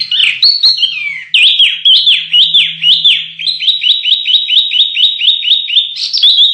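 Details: Canary singing for contest-bird training: sweeping whistles followed by a long run of quick, evenly repeated descending notes, loud and high-pitched.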